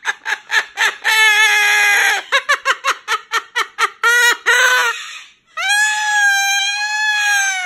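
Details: Pet male Moluccan cockatoo at bedtime, protesting at being put in his cage. He gives quick bursts of harsh, nasal squawks, about three a second, then ends with a long, loud, wavering screech.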